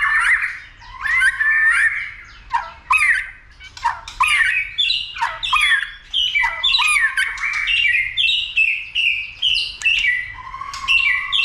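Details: White-rumped shama provoked to sing and fight; loud, harsh squawking phrases blend with jumbled rising and falling whistles in a busy, scratchy delivery throughout.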